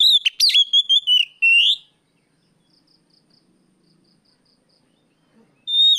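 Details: Afternoon song of an Oriental magpie-robin, 'riwik plong' style, played as a lure to train other birds: one loud phrase of sharp varied notes ending in a long rising whistle, then near silence, with a new phrase starting at the end.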